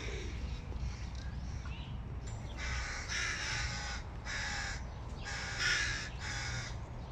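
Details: Hooded crow nestlings clamour for food as the father approaches. After a quieter start, five or six loud, grating, rasping calls follow one another, each a short harsh burst, with a steady low hum underneath.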